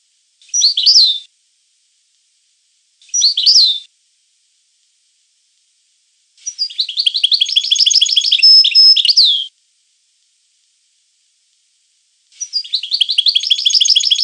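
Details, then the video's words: A European goldfinch sings two brief tinkling phrases, then long runs of fast, liquid twittering laced with buzzy notes, high-pitched and separated by silent pauses. "The Goldfinch , chant de Chardonneret"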